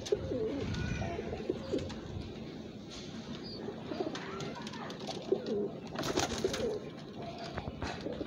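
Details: Pigeon cooing: low, soft, murmuring coos repeated through the recording against a steady background hiss, with occasional clattering and brief louder knocks.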